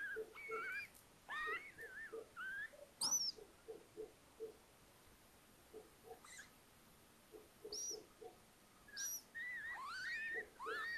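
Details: Little owls nesting in a house attic at Tiszalök, Hungary, near Hortobágy National Park, in early May with four freshly hatched owlets; bursts of wavering whistled calls, soft low peeps and several thin, high, downslurred chirps, with quiet pauses between.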